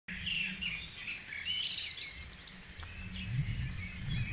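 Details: Dawn chorus at Guisborough: several birds sing at once in overlapping high chirps and warbled phrases, with a short bright whistle near the middle, over a steady low rumble in the background.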